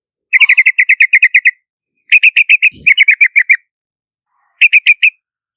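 Yellow-vented bulbul giving three bursts of quick, bright, chattering notes, about ten per second at a steady mid-high pitch, with one soft low thump between them.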